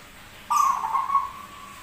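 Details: Zebra dove with an unusual voice, described as rare yet singing vigorously, gives a steady, slightly wavering coo near one pitch lasting just over a second. It starts abruptly and fades out gradually over a faint background hiss.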